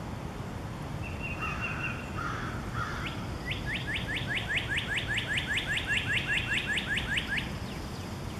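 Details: Northern cardinal singing near a tulip magnolia stirred by the breeze: a long series of clear, rising whistled slurs, about four per second, preceded by a thin steady trill from another bird, over constant wind rumble.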